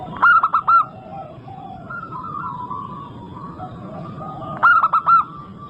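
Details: Local zebra dove singing steadily, used as a lure to prompt other doves to sing: two short bursts of three or four rapid, staccato ringing coos about four seconds apart, over softer, drawn-out whistled notes from other birds.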